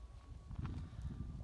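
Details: A captive common ostrich in a large enclosure at Taigan park, Crimea, gives deep, rumbling, pulsing, throaty grunts over about a second and a half, with faint outdoor noise, happily greeting and "chatting" with a familiar person.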